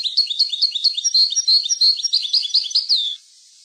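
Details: European goldfinch song for tutoring young goldfinches: a fast, continuous twittering of bright tinkling notes and short trills for about three seconds, ending in a falling slur.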